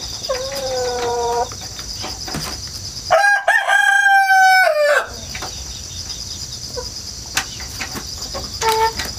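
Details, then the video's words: Countryside rooster, hatched at home, crowing again and again: a long loud sustained crow in the middle, with softer distant crows before and after and a constant insect chorus in the pauses. "닭 울음소리 자연 소리 꼬끼오 수탉"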